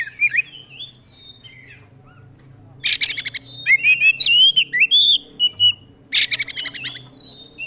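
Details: Oriental magpie-robin, a competition songbird known as kacer, giving bursts of harsh rasping notes between clear rising and falling whistles, with a low steady hum underneath.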